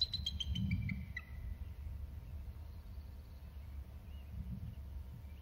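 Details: Two Bald eagles calling from the nest tree: a quick descending series of sharp, high chirping notes over about a second. A steady low rumble of wind or traffic continues throughout, with faint distant chirps later.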